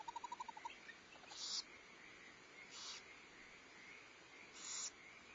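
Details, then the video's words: Nest of barn owls at Starr Ranch, 14 February 2011, owlets being fed by the female as the male arrives with prey; a quick run of about eight ticks, then three drawn-out, breathy hissing bursts. "Starr Ranch Barn Owls: 2011-02-14: Feeding owlets, prey delivery, bonding, loud noise"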